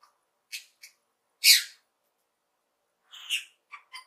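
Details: Cheerful lovebird calls: short high chirps, one loud harsh screech, a pause, then a rasping squawk and two quick squeaky chirps.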